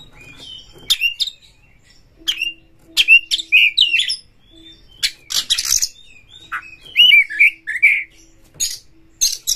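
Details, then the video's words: Oriental magpie-robin from Indonesia singing a lure song meant to stir rival birds to sing and open their tails. Scattered sharp chirps and short whistled slurs come in bursts with quiet gaps, plus a faint low steady hum. "Pancingan Kacer ini dapat Mendongkrak EMOSI PANCINGAN KACER TOP BUKA EKOR"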